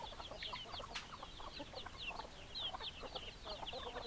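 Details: Flock of hens clucking, with short low clucks under rapid, high, sliding peeps, busy and overlapping for the whole stretch.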